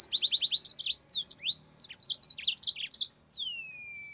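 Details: Yellow-fronted canary (mozambik) singing a fast series of evenly repeated high chirps, then varied sharp notes and a closing long downslurred whistle.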